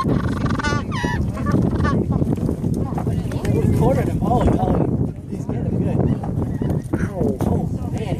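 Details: Magellanic penguins in a tussle at the Punta Tombo colony, Patagonia, Argentina, give harsh, honking brays in short bursts over a dense, rumbling wash of colony noise and wind.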